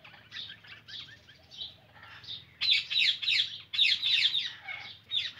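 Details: Rapid shrill squawks from an Indian ringneck parrot, softer at first and then louder and denser in the second half, with notes running closely together against a low background hum.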